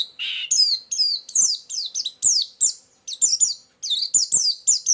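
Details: White-eye lure song with filler: one buzzy note, then sharp high downslurred chips repeated in quick irregular series.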